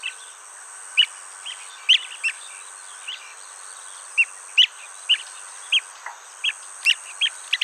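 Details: Blue-tailed bee-eater at its nest hole, Nikon D500 recording; a dozen or more short, bright chirps at irregular intervals, sometimes paired, with a steady shrill hiss running underneath throughout.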